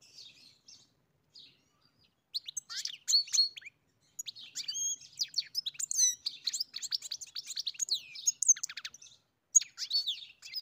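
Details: European goldfinch singing on a farm: a fast, liquid jumble of tinkling twitters and buzzy trills, high-pitched and continuous after a few opening notes, with nothing else heard.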